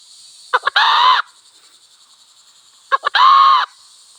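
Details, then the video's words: Wild red junglefowl cock in village surroundings crowing twice: each crow opens with two or three clipped notes and ends in a short, hoarse, harmonic-rich cry. Constant high insect buzzing fills the background. "Sound of wild hen and cock"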